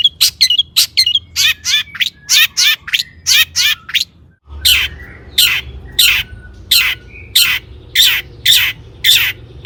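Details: Long-tailed shrike in lively full song, used as a lure to provoke other shrikes into singing: series of harsh, buzzy broadband notes, roughly every half second, with a few thin whistled notes between. There is a short pause midway.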